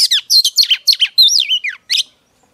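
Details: Female Oriental magpie-robin singing to excite and provoke a male: a rapid run of varied chirps and sweeping whistled notes, some falling steeply, delivered in quick bursts for about two seconds before a short final phrase.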